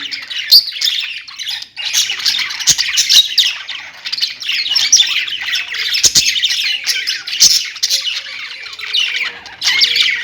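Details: Pet budgerigars chattering together in a dense, continuous wash of high scratchy chirps and squawks, with several birds overlapping throughout and occasional sharp clicks.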